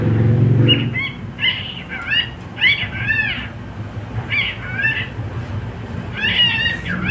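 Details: Male pet cockatiel singing: a string of short arched whistles with bright harmonics, given in quick clusters of two or three, over a low rumbling background hum.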